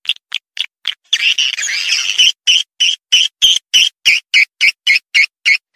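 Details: Luring call of swiftlets: spaced high chirps, then a continuous rasping twitter for over a second, followed by a regular run of sharp buzzy notes repeated about three times per second.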